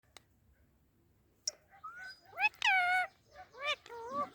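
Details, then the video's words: Ringneck parrot making a variety of sounds: after a sharp click, a run of short, tonal, bending notes with rich overtones, some rising and falling like meows or speech-like chatter, in a quiet indoor setting. "Beautiful Ringneck Parrot Making Different Sounds"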